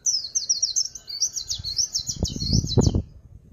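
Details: Swinhoe's white-eye singing in the líu pha chòe style: a rapid, high, tinkling warble of tightly looped twitters lasting about three seconds, with soft low knocks and thumps toward the end.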